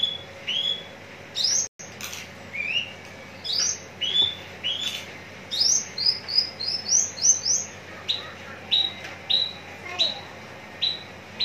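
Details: Javan bush lark, contest-ready bird from Citra Raya, Cikupa, Tangerang, singing a lively run of high whistled notes, many rising or slurred, delivered in quick bursts with short gaps and a brief click near the start.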